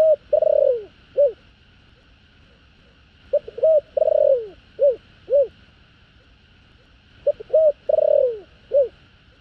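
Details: Spotted dove, a rural field-dwelling bird, cooing to call two females in the open-country style: low, hollow, rounded coos in phrases of about four to five notes, one longer slurred coo per phrase, repeated after brief pauses, with faint steady background hum.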